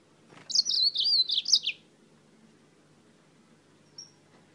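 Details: Yellow-fronted canary from Spain singing heavily: one lively phrase of rapid high warbled notes lasting just over a second, ending in a falling slur, then a single faint thin chip.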